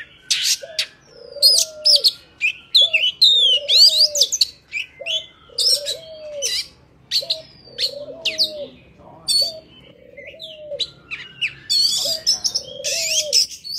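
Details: Oriental magpie-robin with a wild, forest-type voice sings a rich, varied stream of high whistles, slurred notes and buzzy trills, over a dove's low cooing repeating every second or so.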